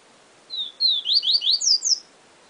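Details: Yellow-bellied seedeater, Sporophila nigricollis, delivering one song phrase: two drawn-out thin whistles followed by a quick series of sharp downward-slurred notes that climb higher toward the end, clear against a quiet background.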